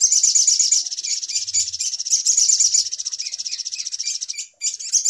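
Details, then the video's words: Sogok ontong bird in a noisy lure recording used for bird trapping: a dense, high, rapid chittering trill running almost nonstop, with a brief gap near the end before it resumes. "Suara Pikat Ribut Burung Sogok Ontong"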